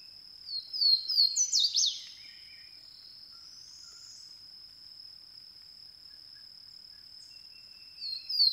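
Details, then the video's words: Swainson's warbler, a small secretive bird, sings a loud, ringing phrase of slurred whistles that tumble downward, heard twice, over a steady high-pitched insect drone. "Swainson's Warbler"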